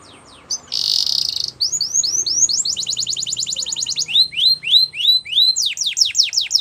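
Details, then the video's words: Spanish Timbrado canary song for training: a loud buzzy roll, then a series of rising whistled notes. Faster looping trills follow, then more rising slurs, ending with rapid falling strokes. "Spanish Timbrado Song For Training | Canary Singing"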